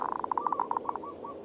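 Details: A local zebra dove (perkutut) cooing, used as a morning lure to provoke other doves: a quick stutter of soft, mid-pitched coo notes that slow into spaced pulses, ending in two short rising coos.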